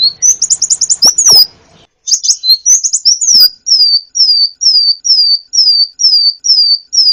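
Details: Sunbird (kolibri ninja) masteran for training songbirds: opening rapid high trill and twitter with loud clicks, then evenly spaced high falling whistled notes about two per second.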